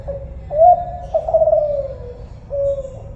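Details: Single cooing phrase from a spotted dove, known as tekukur Kelantan: a short opening coo, a rising then gently falling drawn-out note, and a soft closing coo, with low hum behind.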